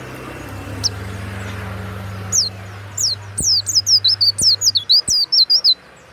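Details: Warbling white-eye kept in a cage delivering a loud, fast song: a brief high note, then from mid-clip a dense string of sharp, twisting whistled notes, about a dozen in quick succession, over low background hum and a few clicks.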